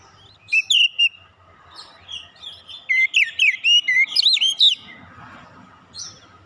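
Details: Oriental magpie-robin (kacer) with fighter character, used to stimulate untrained birds: a few whistles, then a dense, rising flurry of looping whistled notes, fading into low background murmur.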